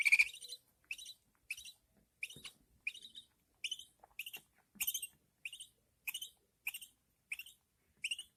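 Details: Newborn budgerigar chicks being fed by their mother. A steady series of about thirteen short upward-sweeping chirps comes roughly every 0.6 seconds, each a small cluster of notes, with near-silence between.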